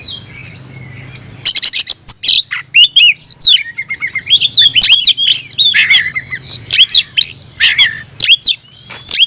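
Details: Oriental magpie-robin singing vigorously with tail spread, worked up to call a rival to fight: after a quiet start, a dense run of sharp whistled notes, slurred upswept phrases and harsh chips, tumbling quickly without pause.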